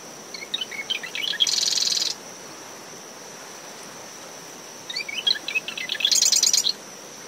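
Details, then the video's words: Two songs from a marsh wren in dune shrubs around a nest at SMNWR, early morning, windy after tropical depression Claudette. Each song is a stuttering run of sharp notes that breaks into a loud, buzzy rattle, with about three seconds between songs. A cricket's steady whine and wave and wind noise fill the background. "Marsh Wren Calls from Dune Vegetation"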